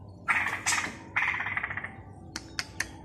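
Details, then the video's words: Straw-headed bulbul in Balikpapan learning to sing: two long buzzy, rattling phrases, the second slowly fading, followed by three sharp, clicky chips spaced evenly. "Cucak Rowo Belajar Bunyi"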